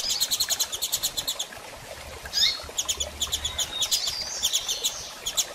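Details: A female double-collared seedeater solicits mating with rapid, evenly spaced high chirps. A short rising whistled note breaks in midway before the fast chirping resumes to the end.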